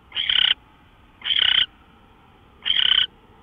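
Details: Owl on a live webcam at 5:27 AM on March 24, 2013. It makes three grating, hissing rasps, each about a third of a second long, with uneven gaps of one to one and a half seconds between them.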